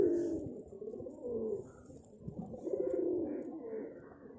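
Pigeons cooing: soft, low, throaty rolling phrases, each about a second long, repeated with short pauses, over a faint background hiss.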